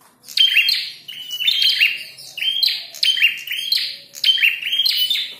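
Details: Red-headed prinia in a fight, singing vigorously: high, buzzy chirping phrases that break off and repeat roughly every second, each made of quick clipped notes with a bright whistled edge.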